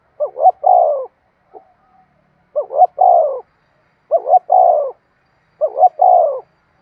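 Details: Repeated 'thúc sung' cooing of a spotted dove, used to rouse decoy birds: four steady phrases roughly every 1.5 seconds, each two short rising notes and a longer descending coo, otherwise quiet.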